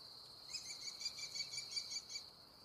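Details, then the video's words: An American kestrel eating prey gives a quick series of about a dozen sharp, high call notes, roughly seven per second, over a steady shrill insect-like hum. "American kestrel call sound, eating prey"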